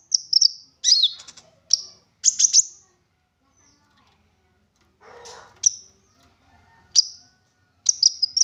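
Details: Olive-backed sunbird used as a lure to make other sunbirds sing: scattered, piercing high chirps and short clusters with gaps of silence and one brief rustling noise midway.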